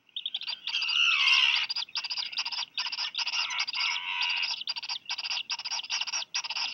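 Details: Black guillemot chicks calling for food as parents arrive with a fish for each, Seal Island National Wildlife Refuge, Maine, July 4; a long harsh squeal followed by quick, high, buzzy pulsed peeps.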